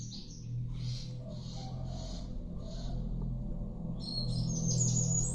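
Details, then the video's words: Sikatan londo flycatcher singing: evenly spaced high buzzy notes, then a quick rising twittering phrase, over a loud low hum. "burung sikatan Londo asik aktif"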